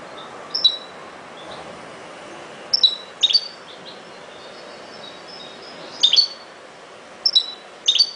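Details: European goldfinch, ghoroub song style: short, widely spaced bursts of high chirps and twitters, some in quick doublets, recurring every one to three seconds over a steady low hiss.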